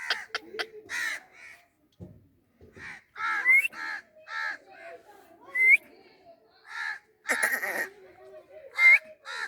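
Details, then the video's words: Parrot giving harsh, raspy squawks in irregular bursts, some with a brief upward whistled slide, separated by short pauses and faint clicks. "Talking parrot Beautiful parrot sounds natural"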